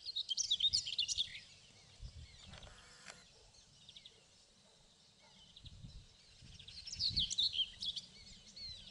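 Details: A singing male common whitethroat in southern Poland, 27 May 2016, gives two short, scratchy, hurried warbles about six seconds apart, high and chattering, over a low rumble of wind or distant traffic.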